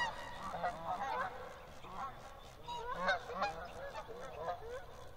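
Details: Canada goose (Branta canadensis), honking calls.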